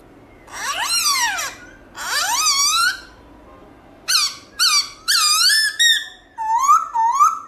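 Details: Black-throated laughingthrush giving loud wild-style song with many voices: harmonic whistled notes that sweep up and down, delivered in separate bursts with short pauses between phrases.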